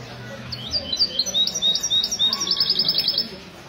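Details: European goldfinch singing in a Mistou-style competition at a café in Ksar El Kebir, Morocco, on a Sunday morning, 16 February 2020; high twittering phrases rising into a fast run of repeated bright notes, faint room murmur below.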